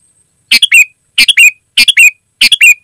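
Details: Sooty-headed bulbul singing loudly: four quick three-part phrases, a harsh burst followed by a short note and a rising slurred whistle, delivered about every 0.6 seconds.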